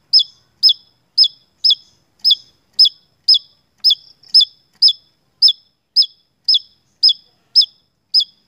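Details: Javan tesia singing hard in a lure recording: an unbroken run of about sixteen loud, sharp, high chirps, each falling slightly in pitch, delivered steadily about twice a second. Nothing else audible.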